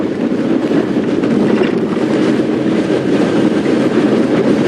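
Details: Loud, steady engine and vehicle rumble with wind buffeting the microphone throughout, and no animal calls audible.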